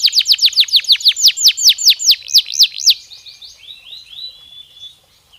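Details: Canary song meant to stimulate breeding: about three seconds of loud, rapid downslurred notes in a steady rolling series, fading into a soft, quiet warble.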